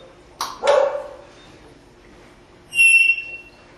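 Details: Pet parrot at a window in Las Vegas, Nevada, which talks, whistles and makes sound effects: a short harsh broadband squawk, then a clear steady high whistle with stacked overtones lasting about half a second.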